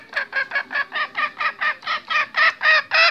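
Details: A restless male junglefowl, used as a hunting lure call, gives a harsh, rapid series of clucks, about four a second, growing louder over thirteen notes.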